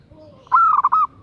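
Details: One bright cooing phrase from a female zebra dove luring a male, a sustained note breaking into quick bubbling beats and ending on a held note, preceded by a faint low tone.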